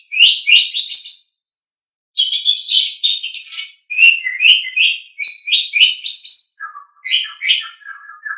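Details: Song of an Asian pied starling, meant for tutoring pet songbirds: bursts of rising squeaky, scratchy notes in grouped phrases, a short pause, then more chattering and lower whistled notes near the end.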